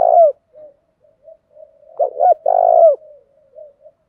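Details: Caged spotted dove giving urging coos meant to provoke wild doves to answer: a clipped low coo, faint soft murmurs, then a quick stuttered pair leading into a long hoarse drawn note with a falling end.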